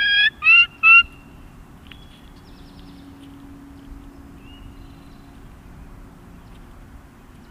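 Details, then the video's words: A wild turkey, recorded up close in the wild, gives a kee-kee run: three quick, high, whistled kee notes at the start, then faint scattered chirps over a steady low hum. "Wild Turkey Kee Kee run call."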